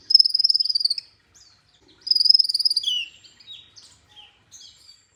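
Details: Olive-backed sunbird in an Indonesian masteran recording: two rapid, high, even trills about a second long, then scattered soft slurred chips trailing off.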